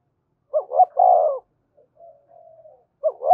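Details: Low, mellow spotted dove coo in 'thúc gù' style for stimulating birds to call: two brief notes and a drawn-out rolling croo, a soft faint hum, then the next phrase beginning.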